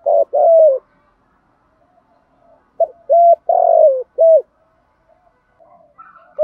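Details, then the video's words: Spotted dove calling as a lure for decoy-dove training: low hollow coos in short bursts, a drawn-out descending note among clipped ones, with faint softer coos between. "tieng chim cu gáy tập bổi mỗi ngày"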